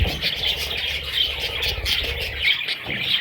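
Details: Young parrot chicks cheeping in short, high squeaky notes that come close together, over a constant low hum.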